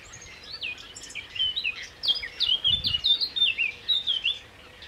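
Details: Black-necked grebe at Spytkowice, 9 June 2013, giving a quick run of high, squeaky whistled notes that rise and fall, some overlapping as if from more than one bird, over about three seconds.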